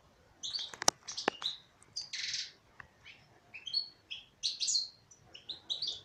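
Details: A female European goldfinch sings a lively jumble of high twittering notes, a harsh buzzy burst and clear sliding whistles, broken by a few sharp clicks near the start.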